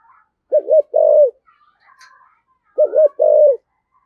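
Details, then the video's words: Spotted dove singing a 'giọng thổ sấm thúc' style, a rare Vietnamese call type: two phrases, each a quick double-dipped coo then a long steady coo falling at the end, with faint high chirps in the pause. "tiếng cu gáy giọng thổ sấm thúc gù hàng cũng hiếm"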